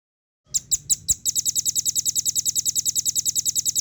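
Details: Velvet-fronted nuthatch (rambatan paruh merah) in a speedy, clear masteran song: four spaced high chips, then a quickening trill of sharp, high notes repeated rapidly and evenly until the end.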